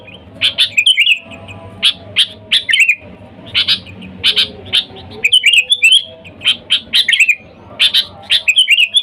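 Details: Lively sooty-headed bulbul calling to wild birds, meant to lure bulbuls. Repeated bursts of bright chirps mixed with short rolling warbles, recurring every second or so over a faint low hum.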